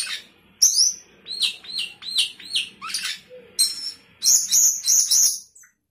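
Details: Sooty-headed bulbul in lively song full of fill-in phrases: sliding, downward-swept whistled notes in quick succession, ending in a rapid burst of thin, piercing high whistles.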